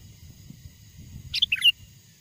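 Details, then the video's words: Sooty-headed bulbul song from the wild, used as a lure call: after a quiet start, one quick bright phrase of three or four notes, a sharp opening chip followed by two slurred whistles, over faint low rumble. "SUARA PIKAT BURUNG KUTILANG GACOR, PANGGILAN KUTILANG LIAR AGAR MENDEKAT!!"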